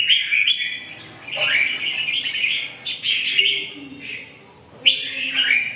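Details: Red-whiskered bulbul producing rich, rolling warbles in long connected phrases, with a quieter stretch near the middle before a final bright burst.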